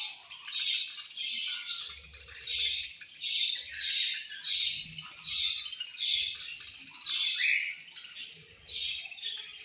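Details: Budgerigars at their food, reportedly angry while eating, chirp in pulsing waves of raspy, high squawks and twitters, each swell lasting about a second, with a few dull thuds below.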